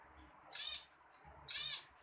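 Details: Zebra finch giving two loud, nasal, buzzy notes about one second apart, each a short harmonic-rich honk, with quiet background between them.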